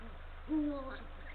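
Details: A single short, level, low hoot from a male Eurasian eagle-owl calling to his mate from the nest branch, northern coast of Estonia, early morning of 17 March 2023, with a steady background hum.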